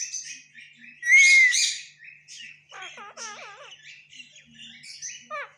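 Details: A pet parrot chattering and trying to talk, with a loud rising squawk early on, then a run of repeated harmonic chirping notes and short whistled calls at the end.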